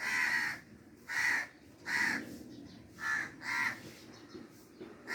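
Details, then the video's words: Crow cawing in a steady series of six loud, harsh, hoarse notes, each about half a second long, spaced roughly one second apart, with faint background noise between them. "crow sound effect"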